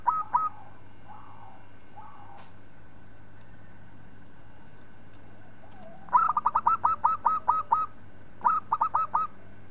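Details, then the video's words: Local zebra dove song meant for tutoring other birds: a few scattered low coos open the recording, then a rolling phrase of about nine rapid pulsed coos and a shorter burst of four, with a low hum underneath. "Suara Perkutut Lokal Palng Zos Untuk Masteran"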